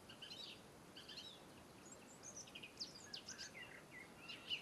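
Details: European robin, faint high twittering: brief scratchy and whistled notes in loose clusters, sharper squeaks toward the end, over a constant hiss of outdoor noise.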